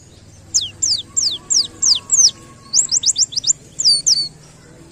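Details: Canary-style song from a wild white-eye, used for tutoring: evenly spaced, high, falling whistles, then a tight burst of short notes and a few more slurred whistles, over a quiet low hum.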